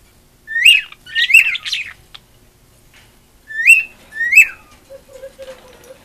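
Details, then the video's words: Female cockatiel, a pet that loves attention, singing: a bright upslurred whistle, a scratchy chattered phrase, two more matching whistles after a pause, then soft low buzzy notes. "Marigold Singing"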